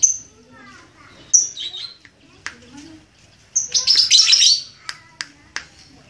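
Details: Red-headed lovebird training its ngekek trill gives sharp high chirps and squeaks spaced apart, then a short dense burst of shrill chatter lasting under a second, followed by a few single clicks.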